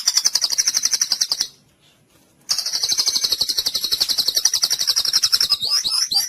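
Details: White-rumped shama song aimed at getting mute, listless birds to sing: a rapid buzzy high trill, a one-second gap, then a longer trill ending in quick whistled slurs.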